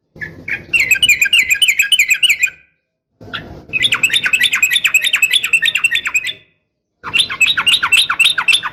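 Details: Yellow-vented bulbul female calling males, uplik tarung style: long, fast, bubbling chatter of wavering notes in three extended runs separated by brief silences.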